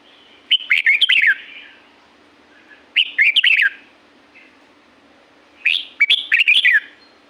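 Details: Three near-identical bursts from a red-whiskered bulbul at Pa La-u forest, Thailand. Each is a rapid string of about six bouncy, falling whistled notes, spaced roughly every two and a half seconds.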